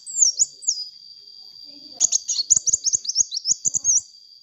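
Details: Loud sunbird, recorded as a lure, opens with two descending whistled slurs, pauses, then pours out a fast chattering stream of high chirps and twisting notes, accompanied by frequent clicking and a steady background whine.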